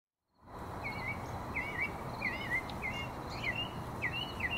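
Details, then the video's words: A northern mockingbird at South Meadows on 24 September 2023 sings short, twisting whistled phrases of middling pitch, repeated about every half second over a steady rushing background noise. "northern mockingbird"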